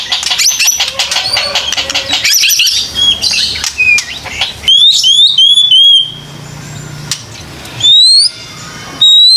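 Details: White-rumped shama lure song for encouraging young birds: a scratchy chattering run followed by pure rising and falling whistles, with quiet pauses left between phrases, faint hum beneath.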